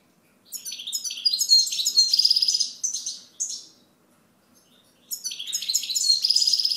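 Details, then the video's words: European goldfinch singing two long phrases of rapid, liquid, high-pitched twittering with buzzy trills woven in, separated by a short silence. "Chant Chardonneret"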